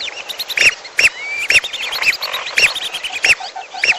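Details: Lesser whistling duck calls in a bird-trapping lure recording mixed with piolo calls: sharp, arched whistled notes repeated about every half second, layered with many overlapping chirps and squeaky calls from other birds.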